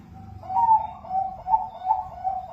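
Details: Zebra dove of the Bangkok perkutut type, a kept bird, singing to prompt other doves to sing: one long soft coo, then a row of low cooing notes about every 0.4 seconds, with a faint low hum underneath.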